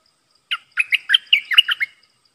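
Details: Caged red-whiskered bulbul of the dok taeng type singing to lure wild birds, 12 September 2021: a lively phrase of about eight quick, liquid whistled notes, each dipping and rising, delivered in under two seconds.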